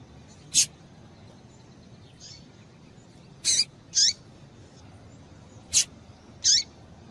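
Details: Calls of a female double-collared seedeater, meant to stimulate the male to sing: about six brief, piercing high chips, several paired close together, some falling in pitch, against low background hiss.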